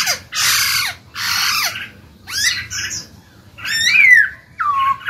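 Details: Black-throated laughingthrush in a cage, singing to set other birds singing: two loud, harsh rasping bursts, then scratchy notes and a clear descending whistle ending in a low curled note.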